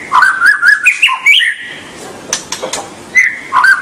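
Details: Song of a white-rumped shama used to get young birds singing: a rapid run of clear whistled notes stepping up and down, a short gap with clicks, then the whistling resumes.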